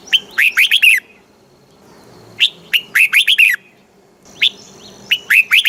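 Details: Red-whiskered bulbul song in southern Thai master style, played to excite caged bulbuls and teach young birds: energetic bursts of six or so quick, liquid warbled notes, repeated every two seconds or so.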